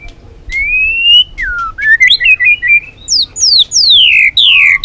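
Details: White-rumped shama song of the Balak 6 type, played as a bird-catching lure: a long rising whistle, a falling slur, then loud clear whistles sweeping steeply downward in series.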